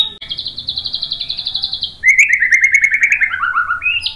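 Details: White-rumped shama song used to provoke other shamas into singing: a long run of rapid, evenly repeated high notes, then a lower, buzzier rattling trill that climbs to a sharp high note at the end.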